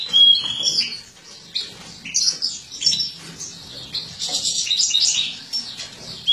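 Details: Female European goldfinch, a captive-bred mutant, feeding in an aviary; an opening pure whistled note followed by scattered high chirps and a denser twittering run near the end.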